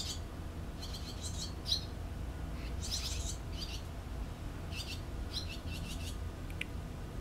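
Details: Barn swallow chicks in their nest during parental care, 6 June 2013: short clusters of sharp, high twittering chirps, each burst lasting under a second with quiet gaps between, above a low steady hum.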